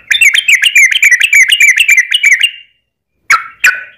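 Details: Yellow-vented Bulbul, locally trucukan, in gacor ropel panjang lure song to spur other birds to sing: rapid run of repeated chirpy, slurred notes over two and a half seconds, then a pause and two sharp single notes.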